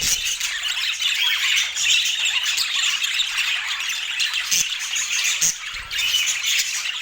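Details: Pet rainbow budgies enjoying apple fill the air with dense, high warbling chatter and scratchy chirps, briefly dipping before resuming.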